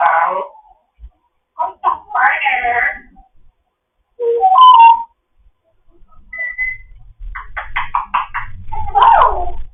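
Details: Foster African grey parrot chattering one morning: rough squawks and garbled speech-like sounds, a short whistle, then a rapid ticking run of clicks with low background rumble.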